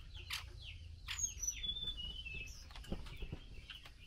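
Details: Chinese hwamei hen calling the male during a mealworm feeding; quick run of sharp falling chirps, overlapping high whistled notes near the start, and scattered knocks and rustles.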